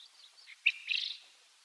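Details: Wild Japanese quail, one of a pair, filmed from a car window, giving an individual's unusual call instead of the usual 'ajapaa': a sharp high note and a short rasping buzzy burst, over faint high background chatter.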